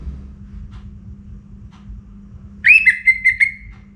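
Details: Orange-headed thrush in pre-dawn song: after a quiet stretch of low background hum comes a short whistled phrase of four linked, wavering notes that level off and trail away.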